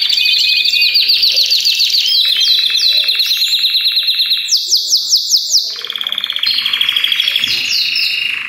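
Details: Belgian canary chorus with several birds singing together: bright rapid trills shift between pitch levels. There are bursts of looping sweeping notes, a short pause-like dip, then renewed fast rolls and whistles.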